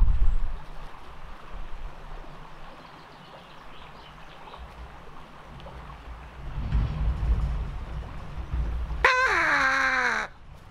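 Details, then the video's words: A female pet common raven, filmed by hidden camera alone in her aviary, gives a single loud, harsh, downward-slurred scream near the end, mimicking a Harris's hawk call, after several seconds of low background rumble. "she mimics a Harris's Hawk's call, then immediately after makes a noise that sounds like she's mocking the call"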